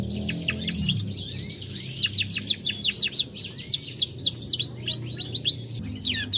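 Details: A Lizard canary, gold, sings continuously in fast, high, rolling trills and bright chirped phrases that rise and fall, over a faint low background hum.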